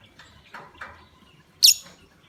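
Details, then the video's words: Provoking call of a lovebird, played to stir other lovebirds into calling: soft lower chirps, then a single loud, piercing high-pitched squeak trailing off. "Pancingan love bird"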